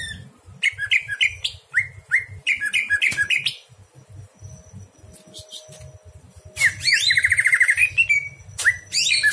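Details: Greater green leafbird singing at night, used to train other birds: series of quick chirped notes with sweeping whistles, a gap, then a fast warbling trill and more clear notes; steady low hum behind.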